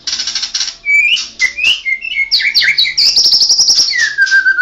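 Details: National champion white-rumped shama in rolling ngerol song: crisp whistles and chips that speed up into a rapid high trill, ending in a long falling whistle.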